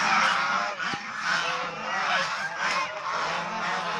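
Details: Flock of domestic Chinese swan geese during playing, bathing and fighting behaviour; loud, harsh, continuous honking from many overlapping birds, with a brief sharp click near the one-second mark.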